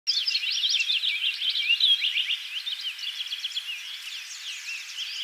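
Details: A Purple Finch at Naubinway, Michigan, USA, on 25 May 2023 sings a long, rapid, rich warble of tumbling slurred notes, running continuously without a break.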